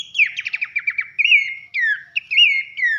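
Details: Loud whistles of Abbott's babbler for training songbirds: a quick rattle of falling notes, then several long, clear slurred whistles, each dipping in pitch, in a clean recording without background noise.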